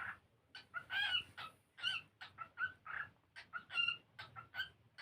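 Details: Singing cockatiel, playing and learning to dance, pours out a lively chain of warbled harmonic notes, some drawn out and wavering, others short clipped chirps, with a soft low-pitched background hum.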